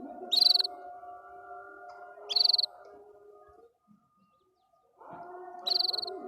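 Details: A canary sings happily, giving three brief high-pitched rattling trills about two seconds apart, with a pause before the last; a constant humming drone runs underneath.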